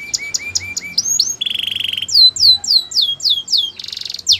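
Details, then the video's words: A Belgian canary gives short paired chirps, a dense buzzy roll, then a series of loud descending whistled slurs spaced evenly, ending in another buzzy trill. "Melodies canary bird song | Belgian canary singing"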